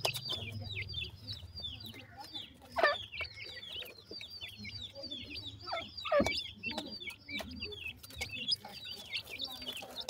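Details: Young black francolins peep constantly, high, brief notes bending downward in rapid irregular series, with two sharp louder cries and a low droning hum underneath.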